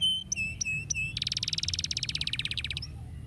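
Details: Canary singing; a few clear whistled notes repeated, then a fast rattling trill of about twenty-five pulses lasting over a second, against steady low background rumble.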